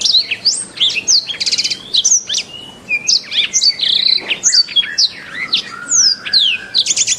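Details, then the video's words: Canary master song for training birds: varied phrases mix fast buzzy rolling trills, swooping high whistles and a long low steady whistle, sung continuously and loudly over a soft background hum. "Masteran Terbaik Kenari"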